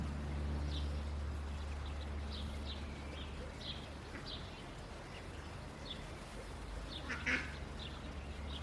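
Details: Indian Runner ducklings just after hatching, lively in the nest: soft, high, thin peeps scattered irregularly, a few per second, faint over a steady low hum.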